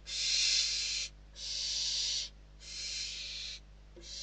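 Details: Hungry barn owl chicks inside a nest in Spain, fighting over a bird just delivered as food; loud rasping hisses about a second long, separated by short pauses, four bursts in a row.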